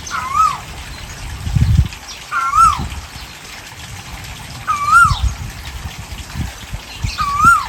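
An Asian koel gives loud, swooping whistled notes that rise then drop, repeated about every two and a half seconds, over a low rumbling, trickling background.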